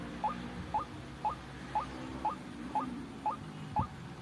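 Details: Lure call of the white-breasted waterhen for trapping: eight clipped, upswept notes spaced evenly half a second apart against a steady low hum, with a soft thump near the end.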